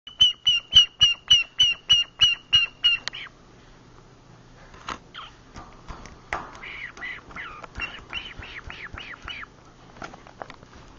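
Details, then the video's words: Pet green-cheeked conure making soft noises while asleep indoors with the lights off. A steady series of about a dozen sharp clicking chirps, then quieter scratchy murmuring notes over a low indoor hum. "My Green Cheecked Conure Makes Cute Noises as it sleeps"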